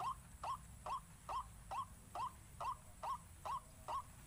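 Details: Waterhen lure call in pikat 4 sisi style: clear, short rising notes in a very steady rhythm, a little over two per second, over a quiet background.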